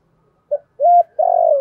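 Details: Lure call of a spotted dove for attracting wild doves: a short soft note, a clear level coo, then the start of a long throbbing coo that ends abruptly.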